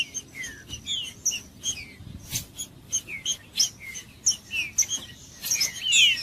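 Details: Green-winged saltator singing to warm up a cold bird: rapid dry ticks and chips interwoven with brief falling whistles, a louder burst of slurred notes closing the passage.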